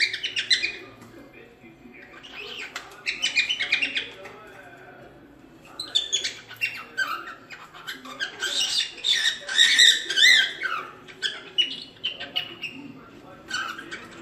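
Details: Cockatiel kept at home, chattering and squawking in scratchy, noisy bursts with squeaky whistled notes mixed in, busiest in the second half.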